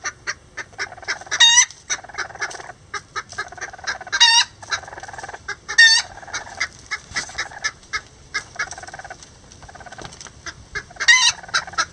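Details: Rare Lavender Bantam miniature roosters and a hen building a nest together: steady quick clucks throughout, broken by a few loud, harsh, rising squawks with a rich ringing tone.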